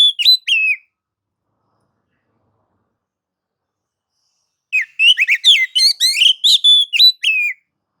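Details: White-rumped shama singing in nagan and ngobra modes to provoke others to sing: a brief pair of whistled slurs, a long pause, then a fast, rich run of chattering whistles and upsweeps lasting nearly three seconds.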